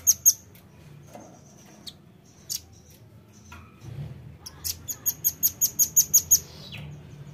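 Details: Velvet-fronted nuthatch calls used to lure birds: scattered high chips and short notes, then a long rapid run of about ten piercing, evenly spaced chips closing with a downward slur.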